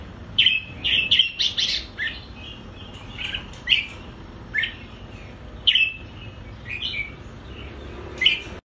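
Red-whiskered bulbul giving bright, liquid whistled phrases in short bursts, tumbling together early on, then spaced a second or two apart, over a quiet background.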